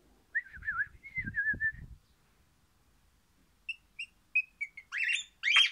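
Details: A happy orange-variant crimson rosella (pennant) sings a wavering, warbled whistle, then a few clear piping notes and a burst of harsher chattering. A soft low rumble runs beneath the opening.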